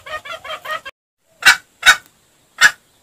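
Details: Junglefowl lure recording: a fast run of rhythmic, harmonic clucking notes for about a second, then silence and three sharp, loud single calls spaced about half a second apart.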